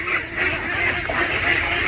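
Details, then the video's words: A flock of female domestic ducks at feeding time, which answer when called, quacking loudly and continuously with many harsh overlapping calls and no pauses. "Mga itik na babae napakaingay."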